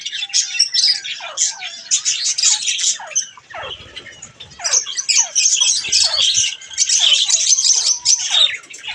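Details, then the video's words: Pet budgerigars at bath time chattering constantly: dense scratchy warbles and sharp squawks overlapping, with brief downward-sliding chirps and a short quieter gap midway. "Budgies Bath time"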